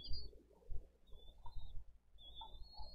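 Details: Begging bald eagle chick in a camera-watched nest in Dade County, 20 April 2023: three drawn-out, thin high whistles, the last one rising, with muffled low thumps and rustling behind.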